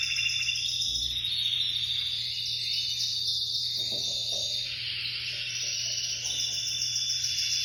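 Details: A Spanish-breed canary sings a steady, high, rolling stream of trills and metallic notes, with no real pause, over a faint background hum.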